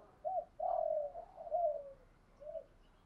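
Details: Spotted dove, recorded to stimulate other doves, gives faint, distant coos: a short looping note, a long falling coo, another loop and a final soft note over background hiss.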